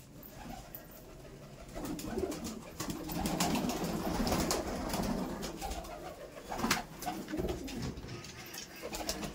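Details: Laldom pigeons in a loft in South 24 Parganas, giving low, throaty coos that rise in a rolling run mid-clip, over steady rustling, knocks and room noise.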